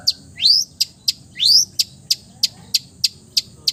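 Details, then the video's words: A long-tailed shrike's mimicking song, said to copy the sounds of other bird species. Two long rising, buzzy sweeps are followed by a steady run of short, sharp high ticks about every third of a second. "MERDU SUARANYA, BISA MENIRUKAN SEGALA SUARA JENIS BURUNG | CENDET FULL MATERI"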